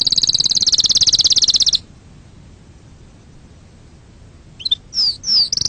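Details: Canary song used for teaching chicks and for mating: a fast, even trill of high notes lasting under two seconds, then a pause and a few sharp rising whistles near the end.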